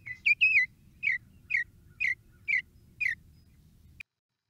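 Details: Northern Mockingbird living on a university campus sings a bright, downslurred chirp repeated about twice a second, six or seven times in a row, over a low background hum.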